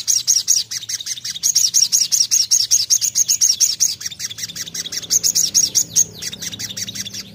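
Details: Sogon delivering rapid, evenly spaced high chirps for about six seconds, then a brief swept note and quiet background hum as the phrase ends.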